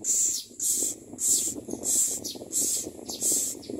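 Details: Common myna babies fed worms and locusts by parents, making shrill hissing begging bursts about every two-thirds of a second over a steady low rustling and murmuring background.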